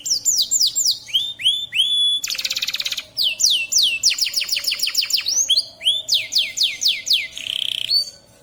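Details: Energetic local canary song mixing clear descending whistles, a dry buzzy rattle, quick rolling trills and sweeping notes in fast-changing phrases.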